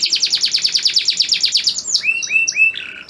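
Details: Male canary song for a breeding-ready female: an even, rapid trill of about fourteen high notes, followed by three lower rising whistles and a short buzzy note.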